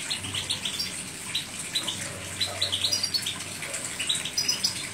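A European goldfinch sings a rapid, tinkling run of high twittering notes and short buzzy trills, with a faint low hum underneath.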